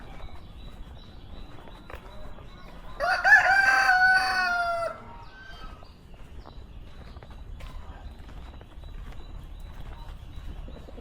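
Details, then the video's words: Rooster crowing in the morning in a rural village near Java's south coast, Bantul, Yogyakarta, Indonesia: one loud, harmonic two-second crow, rising then holding and trailing off, over faint outdoor rustle. "De nuevo, el patio está seco y el canto del gallo trae recuerdos del pasado, ¡obvio!"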